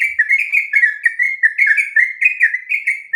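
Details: Sooty-headed bulbul, locally trucuk, singing a continuous ropel song meant for training other birds: dense, fast sequence of clear whistled notes with downward slurs, repeated several times per second throughout.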